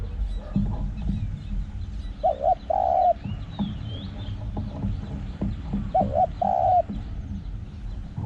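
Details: Spotted dove decoy calling, small voice with a coo that carries through the forest. Two phrases, each two quick notes then a sustained coo, about four seconds apart, over handling thumps and soft distant bird twitters.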